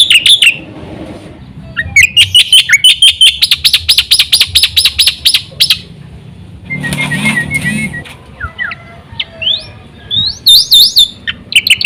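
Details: Black-winged myna in full song, meant to set other mynas singing; a long bout of fast, ringing chattered notes, then a rasping, buzzy stretch and some rising whistled slurs toward the end.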